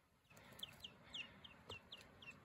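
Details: Indoor lavender guineafowl keets, a week or two from going outside; a run of thin, high, downward-slurred peeps roughly every quarter second over a steady low hum.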